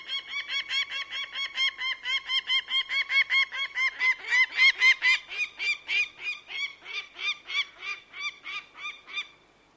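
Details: Bird of prey uttering a long, fast chatter of sharp, nasal notes; they peak in loudness midway, then slow and fade out near the end.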